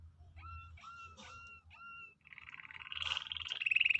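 A canary sings four clear, evenly spaced whistled notes, then breaks into a fast, rising, rattling trill that grows louder, over a faint low hum.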